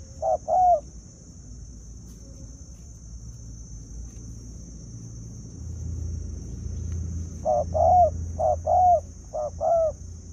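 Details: Decoy-bird scene with a spotted dove giving low two-note coos, one phrase at the start, then a long pause with faint rumble before four more paired phrases in quick succession.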